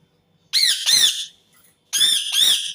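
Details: Indian ringneck parakeet screaming in two pairs: loud, coarse, down-curving squawks, a short pause, then two more identical harsh calls.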